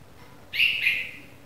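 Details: A newly fledged Red-vented Bulbul chick gives a single harsh, buzzy, high-pitched begging call about half a second long. Faint low background hum.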